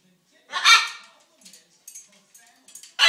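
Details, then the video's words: Pet macaw seeking attention because it is hungry, giving one loud harsh voiced burst, then soft clicks and short murmurs, and a second loud burst at the very end, in a quiet indoor room. "The Talking and Dancing Macaw"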